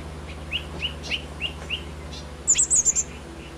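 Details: Wild yuhina foraging to feed its young: a series of short upslurred chirps, about three per second, followed by a quick cluster of very high, thin twittering notes, over a faint low hum.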